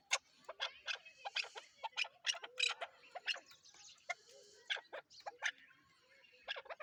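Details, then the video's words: Repeated harsh chuk notes from a Chukar partridge, delivered in a steady, rather hurried series with occasional short gaps. "chakor# ki# awaz"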